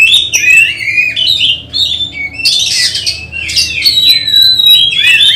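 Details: Oriental magpie-robin in training for a singing contest at home: whistled trills and slurred notes alternate with loud rasping bursts, ending in sustained clear whistles.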